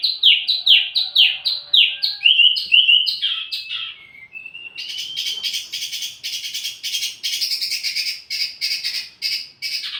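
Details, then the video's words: ['Wambi mini, as training audio for tledekan birds, sings a quick series of down-slurred chirps sliding into a rising whistle, followed by a long, dense buzzy rattle of rapid repeated notes.'] "wambi mini burung pancingan sekaligus masteran buat tledekan anda"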